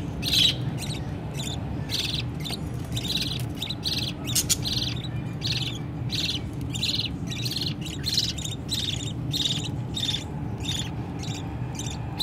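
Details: Budgerigar chicks being fed by their mother, pleading loudly to their parents for food: dense, raspy, high chirps tumbling over each other almost without pause, with a steady low hum underneath.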